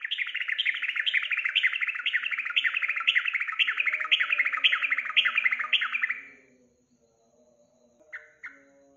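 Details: Yellow-vented bulbul singing in a recording used to coax a caged bird into song: a long rapid run of bubbling, repeated whistled notes about twice a second for six seconds, then quieter low chatter and two short calls.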